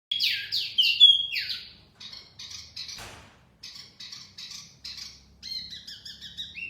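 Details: Wambi mini song used as a lure for trapping birds: sharp high chirps and downslurred whistles in quick bursts, then clipped buzzy notes after a short gap, ending in level whistled phrases.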